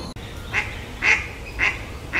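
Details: Mallard, male and female, giving four loud nasal quacks roughly half a second apart, each harsh and clipped.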